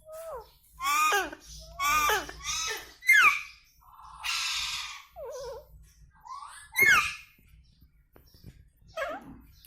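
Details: Indian ringneck parrot indoors producing a series of speech-like harmonic phrases with falling glides, a rough buzzy squawk, wavering notes and sharp squeaks, separated by short pauses.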